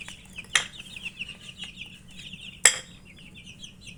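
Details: Chicks (murgi) peeping while eating: a steady stream of short, high peeps overlapping one another, broken by two sharp clicks like pecking on a dish, over a low steady hum.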